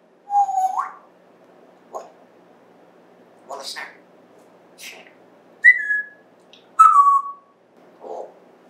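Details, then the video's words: Talking pet African grey parrot indoors, September 2024: a rising whistle, scattered short mimicked syllables, then two falling whistles and a low muttered sound near the end. "Apollo Talking Then Playing "Whoop""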